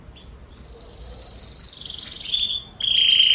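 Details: Garden canaries in September 2020 sing a long, bright, high rolling trill held for about two seconds, dropping in pitch at its end, then a brief pause and a new lower trill.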